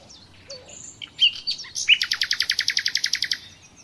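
A common nightingale sings a varied phrase: a few scattered chirps and whistles, then a fast, even rattle of about fifteen buzzy notes.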